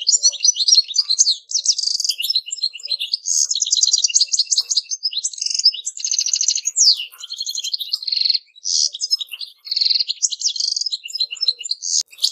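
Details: Long, unbroken goldfinch song: rapid tinkling twitters, buzzy trills and sliding notes pour out almost without pause for over twelve seconds.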